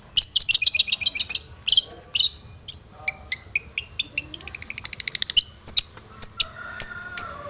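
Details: Long-tailed shrike in varied aggressive song used to provoke rival shrikes: quick harsh chatter, a rapid even trill of ticking notes, then isolated sharp high chips and a brief lower whistle.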